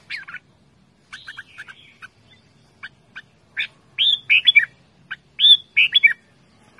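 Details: Red-whiskered bulbul giving loud, playful calls: scattered single chirps early on, then louder clusters of sharp, slurred whistled notes in short bursts, with pauses between them.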